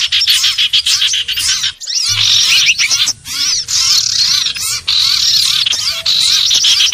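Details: Lure for catching common iora: loud jumbled chirps and curved whistles, broken by a sudden near-silent gap just before two seconds, then dense calling continues to the end.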